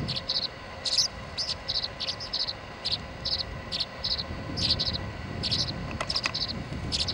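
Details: Tree swallow chicks fighting for the feeding spot at a nest box, one perched above the door, recorded 26 July 2011: rapid clusters of high, thin chirps repeat in bursts over a steady background hum.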